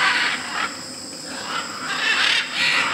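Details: Macaws at a clay lick in Tambopata, Peru, where hundreds of macaws and parrots assemble to feed on clay. Dense raucous screeching opens and closes the recording, with a quieter lull between, over a continuous insect whine.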